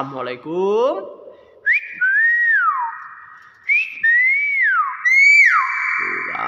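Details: A common hill myna mimics human speech, repeatedly saying a greeting ("Asalamualaikum"), with loud, clear whistles that slide up and fall away.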